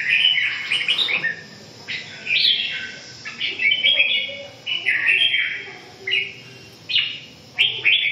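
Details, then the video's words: Red-whiskered bulbul giving a series of rich, bubbly whistled phrases, each about a second long and repeated roughly every second, with varied rising and falling slurs. "Kênh về chim Chào mào"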